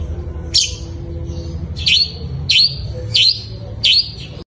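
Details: Long-tailed shrike delivering a fighting-style song that copies fighting sparrows: five loud, abrupt squeaky chirps with falling-then-rising shape, spaced under a second apart, against a faint low hum.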